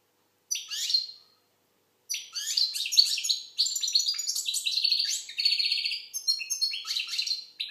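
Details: Singing Algerian goldfinch (maqnin): one short twittered burst, a pause, then a long flowing sequence of rapid high chirps, trills and harsh buzzy notes.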